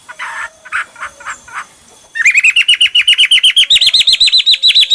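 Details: Hwamei singing in many varied styles: a few soft, buzzy bursts, then a loud, rapid run of rising, whistled slurred notes, about four each second, stepping higher in pitch toward the end.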